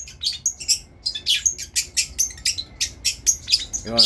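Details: A lively long-tailed shrike in a tutoring recording gives very high, sharp chirps and piercing notes in rapid series, ending with a short harsh, lower burst.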